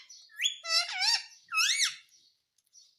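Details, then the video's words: Pet Indian ringneck parakeet giving a few harmonic chirps: a rising whistle-like note, a wavering squawk, then an arched screech, before fading to near silence. "indian Ringneck chirping sound"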